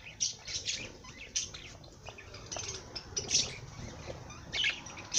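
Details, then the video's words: Singing parrot giving bursts of bright, high chirps and scratchy twitters, several sharp piercing squeaks spread through a steady chattering flow. "Popagai sing -song madár ének"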